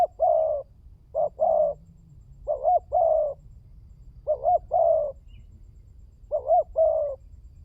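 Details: Spotted dove lure coos: five repeated phrases, each a short wobbling note pair leading into a longer low hoarse coo, delivered at uneven intervals with a steady low rumble underneath.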